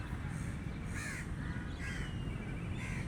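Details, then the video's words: Crow calling with rough, scratchy caws, four short bursts at irregular intervals, against a constant low droning hum. "Crow Sound Effect | Crow Bird Sound"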